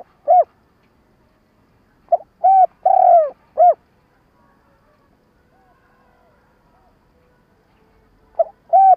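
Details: Spotted dove kept as a trapping lure, stuttering coo call: a single short coo, then a burst of four low hooting notes with a longer middle coo, a long silence, and two more notes at the end.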